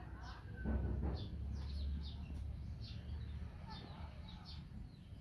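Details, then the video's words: Baby hornbill chick giving short, thin chirps that rise and fall, repeated in quick irregular bursts, with a low rumbling background and a brief voice-like sound near the start. "CUTE baby hornbill ( talusi )"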